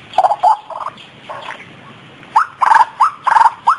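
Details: White-breasted waterhen lure call for use in daytime: loud, short rising nasal notes near one kilohertz, delivered in irregular bursts with a brief pause in the middle.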